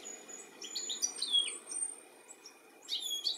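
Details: European goldfinch calling while looking for its young, recorded 13 July 2017 in the UK; quick high twittering notes and short rising chirps scattered through a brief stretch, with a steady faint hiss behind.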